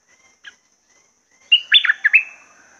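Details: Red-whiskered bulbul in a cage: a lone soft chip, then a loud, lively phrase of five or six rapid whistled notes sliding down, over a faint constant high tone.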